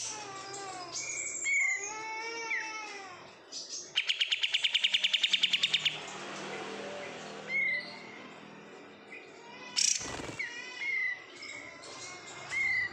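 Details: A kept oriental white-eye raised from bulk-caught stock delivers curved whistled slurs, then a fast, rapid rattling trill lasting about two seconds, followed by scattered sharp chirps and high clicks.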